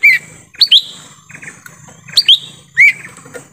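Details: Forest lure sound of a lesser green leafbird for bringing in wild birds: slurred whistles in four bursts, some doubled, with soft buzzy notes between them.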